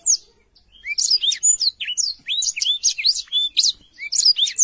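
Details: After a quiet start, a Black-throated canary bursts into lively song with crisp high chirps and slurred whistles in uneven bursts. The recording is meant for tutoring young canaries.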